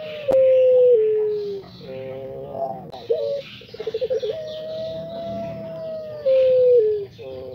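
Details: Long, drawn-out, melodious crows, each sustained note holding steady then sliding slowly downward, overlapping one another against faint background noise; identified as crowing chicken (Pelung rooster), though the video labels it a puter pelung/anggungan bird.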